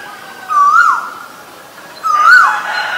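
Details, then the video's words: Asian koel, loud and close: two rising whistled notes that swoop up and fall off sharply, about one and a half seconds apart, with faint bird chatter behind. "นกกาเหว่า (Asian koel)"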